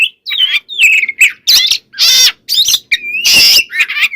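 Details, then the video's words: White-rumped shama singing to stir other shamas into song: whistled slurs alternating with loud broadband harsh rasps, the phrases packed closely with brief gaps. "Suara Burung Kacer Gacor Full Isian, Pancingan Kacer Agar Cepat Emosi"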